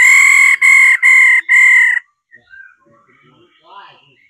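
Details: Four loud, harsh, buzzy notes from a female laughingthrush in a rapid even series, her 'ro' call meant to excite males to sing, followed by faint scattered bird notes.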